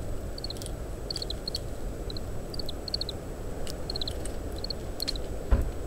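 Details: Faint Oriental greenfinch ground calls, brief groups of thin high notes spaced irregularly, as the bird feeds on summer camellia seeds; strong wind hiss, parabolic microphone.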